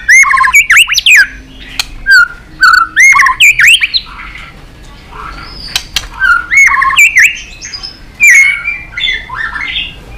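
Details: Competitive song of a white-rumped shama, bursts of loud looping whistles and sharp chattering notes separated by short gaps, phrases rising and falling steeply, with faint background noise.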